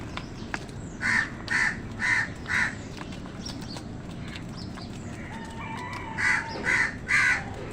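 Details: Crows fighting with wild birds for food give a run of four rhythmic, raspy caws about half a second apart, a quiet gap with faint chirping, then three more caws.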